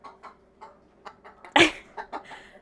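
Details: Pet chicken heard indoors in January clucks: a string of short, clipped notes roughly every third of a second, with one louder, harsher squawk in the middle.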